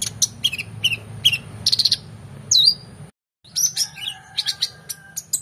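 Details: Brown-throated sunbird in full energetic song, recorded as a master track for training competition songbirds: sharp high chirps and quick downslurred whistles in bursts, a short break mid-way, then denser twittering over a low steady hum.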